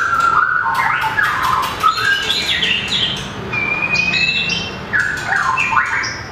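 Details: Competition singing from a mini long-tailed white-rumped shama that flicks its tail and hops along its perch: rich whistled and warbled phrases mixed with sharp clicks and harsher notes, with a sustained whistle midway.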